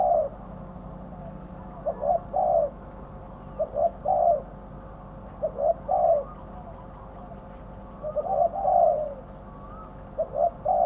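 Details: Decoy spotted dove calling to lure wild doves toward a trap. It repeats phrases of two or three low, mellow coos, each ending in a longer slurred note, about every two seconds, with faint background hum.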